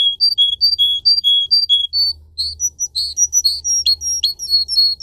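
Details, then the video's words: Canary song of bright whistled notes alternating between two pitches, then a faster, more varied run of chirps and trills over a steady low hum. "Canary song video - type of song"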